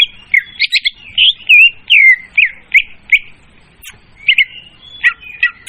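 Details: Leafbird trapping lure, clear in tone and loud: rapid trilled notes, then rich slurred whistles in a steady sequence, a pause, and a few scratchy chirps at the end.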